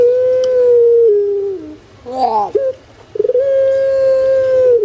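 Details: Drawn-out booming coo from a captive puter pelung spotted dove kept in Indonesia, stepping down twice, followed by a quick rolling gurgle and a fresh long level note.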